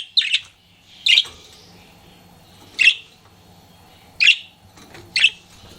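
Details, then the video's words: Pet budgie flirting, calling with loud, sharp, high chirps spaced about a second apart, each a short burst, in a quiet room with faint hum. "CUTE PET BUDGIE FLIRTING"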